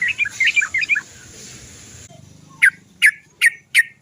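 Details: Sooty-headed bulbul lure sound intended to prompt singing: a jumbled chatter of chirps over a hissing background, then four spaced, sharp descending 'cok' notes roughly every 0.4 seconds.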